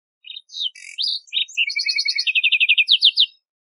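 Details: Lark sparrow singing in the wild: a varied run of sweet chirps and slurred notes, then fast buzzy trills of evenly repeated high notes, all very clean with no other sounds.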